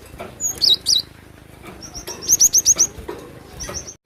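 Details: Java sparrow in energetic song: a pair of wavering high whistles, then a rapid string of about six bright, clipped high notes, and softer notes trailing off amid light clicking.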